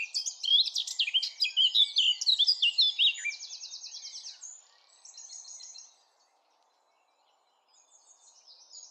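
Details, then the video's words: Eurasian blackcap song: a hurried, tumbling run of bright fluty whistles and chattering notes lasting about three seconds. It ends in a thin, rapid buzzy trill, then quietens to silence with faint notes at the end. "SONG OF THE BLACKCAP"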